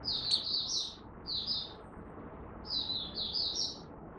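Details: A Malaysian Oriental white-eye in minor moult and off form gives three quick bursts of thin, high, rapidly warbled twittering, each under a second long, over a faint low background hum; 27 July 2023.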